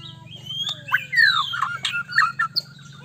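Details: White-rumped shama singing to prompt a rival shama into responding quickly: a string of clear, slurred whistles, some falling and some rising, with short sharp chips between them, over a steady low hum.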